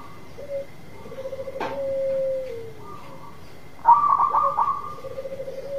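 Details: Zebra dove (local perkutut) singing steadily to entice another dove to sing. A short note and a long low coo gliding downward, a sharp click, a brief higher coo, then a loud rippling burst before the low cooing resumes. A faint hum continues throughout.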